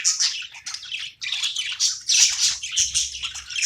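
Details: Budgie chirping while playing, a continuous run of harsh twitters and squeaky notes broken by tiny pauses.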